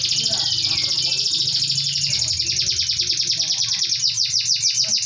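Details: Canary song meant to prompt other canaries to respond: a long, fast, high, buzzy rolling trill of evenly pulsed notes, steadily sustained for several seconds, with faint low noise.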